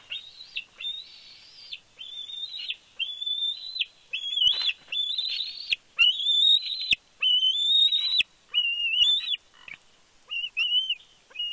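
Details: Fledgling bald eaglet at a Big Bear nest on fledge day, 31 May 2022, squeeing excitedly as its father flies in with a fish: a rapid run of long, high, whistled squeals, each held about a second, with short breaks.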